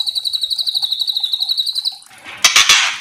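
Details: Kretekan-style song of a young spotted white-rumped shama, a lure recording: steady, fast, high-pitched ticking trill for two seconds, ending in loud rustling bursts.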